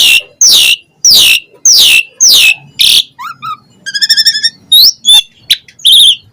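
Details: Asian pied starling in full, varied song: loud descending whistled sweeps repeated about every half second, then buzzy stacked notes, rapid ticking trills and sharp rising whistles.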